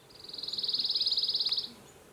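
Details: A Pine Warbler in Maine, a bird of pine treetops that is often heard rather than seen, gives its steady, high trill of about twenty quick, even notes lasting a second and a half over a quiet background.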